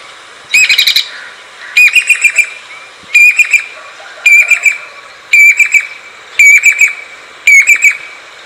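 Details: Jacobin cuckoo, also called pied or crested pied cuckoo, calling: seven loud, ringing phrases, each a fast series of sharp metallic notes, repeated about every second and a half over a quiet background.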